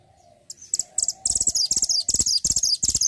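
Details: Mantenan gunung singing as a master bird for training songbirds: rapid, sharp, high chirped phrases repeat about three times a second and grow denser after a quiet start. A low steady hum runs underneath.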